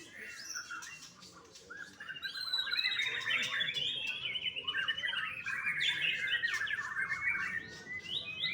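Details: Captive-bred young white-rumped shama delivering a long, rich run of rapid chattering and warbled notes, twittering and scratchy, swelling after a softer start and continuing almost without pause.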